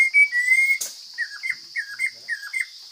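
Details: Forest Chinese hwamei: one long clear whistle, then after a click a run of softer, quick falling whistled notes repeated about every quarter second, with a steady high buzz in the background.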